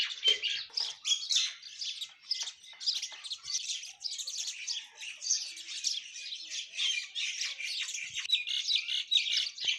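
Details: Indian mynas in the morning: several birds chatter over one another in a dense, continuous stream of harsh squawks, chirps and whistled notes, mostly high-pitched, throughout.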